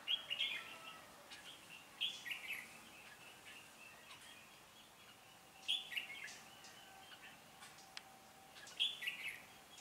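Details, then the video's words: A decoy red-whiskered bulbul sings to provoke wild birds during trapping, 16 January 2017, Vietnam; a bright whistled phrase repeats about every three seconds amid softer chirps and steady background hiss. "Bẫy chào mào Bổi số 8 ngày 16/1/2017 đá quá dã man"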